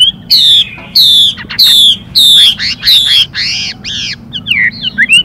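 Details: Chinese hwamei female repeating harsh xùy calls to excite the male: a steady series of loud scratchy downslurred notes about every two-thirds of a second, then fainter whistled notes from the male.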